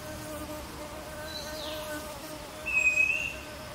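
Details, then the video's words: Streaked wren-babbler recorded at Fraser's Hill, Pahang, Malaysia, June 2023: a single clear, steady whistled note late in the clip over a continuous droning insect-like hum and a faint higher sweep. "Streaked Wren Babbler call song sound"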